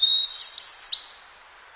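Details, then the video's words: Wild European robin in spring: a short, clear phrase of high whistles sliding up and down over a sustained thin tone, ending in silence. "chants , cris du rouge gorge HD/songs , calls european robin HD"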